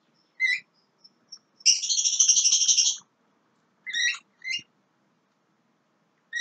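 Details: Young Javan myna singing: short harmonic whistled notes, then a loud harsh buzzy rattle of about 1.3 seconds, followed by more paired whistles and chattering notes in a quiet setting.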